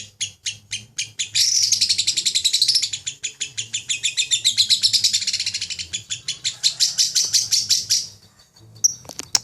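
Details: Champion-style lovebird ngekek: separate shrill chirps quickly merge into a long, surging buzzy chatter lasting over six seconds, rising and falling in loudness before stopping abruptly, a few clicks after.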